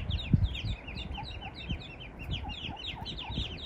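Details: Eastern spot-billed duck mother with ducklings, lost far from water; constant high falling peeps from the young, with soft lower notes repeating about every quarter second and a few thumps at the start.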